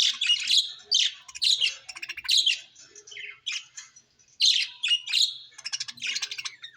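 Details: Budgerigars at home chattering nonstop: bright, grating chirps and rapid warbling trills, rising and falling in quick clusters.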